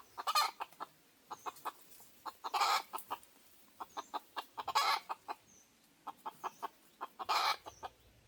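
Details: Red junglefowl lured by a decoy give clipped clucks in quick clusters, with several loud, broad rushing bursts roughly every two seconds between them.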